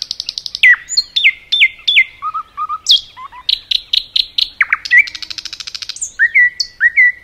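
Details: Common nightingale singing in a forest: rapid series of repeated notes, low whistled doublets, sharp descending strokes, then a fast buzzy rattle and clear upslurred whistles to close.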